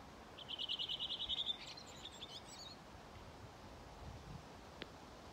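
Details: Redwing dialect song on 5 June 2023 by the Ljustorpsån gravel pit, Timrå: a quick run of about eleven bright repeated notes lasting a second, then a thin higher twitter of thrush chatter; faint background hum.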